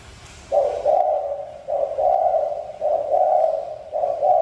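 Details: Spotted dove cooing in a steady series: four low, hollow coo phrases, each about a second long, repeated roughly once per second with short gaps, over a faint hissy background.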